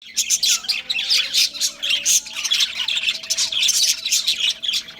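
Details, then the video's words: Pet budgerigar breeding pair chattering: dense, scratchy warbles and short squawks pouring out almost nonstop across five seconds, with brief dips between bursts and a faint steady hum underneath. "Budgies Chirping Sounds"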